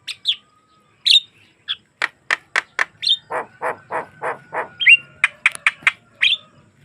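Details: Javan myna song recorded naturally without effects, for prompting other mynas to sing: squeaky whistles, a rapid row of dry clicks, a rhythmic run of harsh nasal notes, then more clicks and squeaks.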